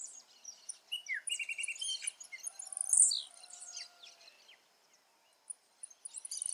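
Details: Wild blue-black grassquit in its natural habitat, one sharp high buzzy note with a falling tail standing out amid a busy mix of other high chirps, twitters and insect-like trills from surrounding nature.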